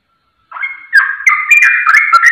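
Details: Sooty-headed bulbul song used as a lure to make other birds answer; after half a second of silence, mellow warbled notes begin, then a dense run of bubbly chattering phrases with sharp clicks.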